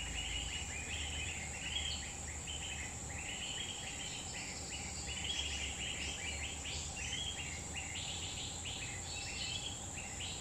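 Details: Grey-bellied bulbul singing wild in a Central Kalimantan forest, giving bubbly groups of brief slurred notes strung together in lively bursts, with a continuous shrill insect hum behind.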